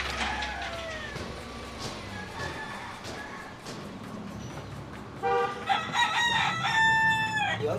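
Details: In Panama, a man speaks, then Pedro, a fighting gamecock kept in a flat above a barbershop and said to crow constantly, gives a loud, drawn-out, strained crow rising and falling in pitch; street and vehicle noise underneath.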